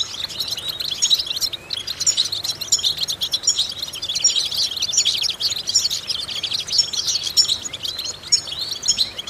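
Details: European goldfinch song used as vocal training to stimulate goldfinches: a continuous, dense stream of fast, high twittering with liquid trills and buzzy notes that runs unbroken throughout.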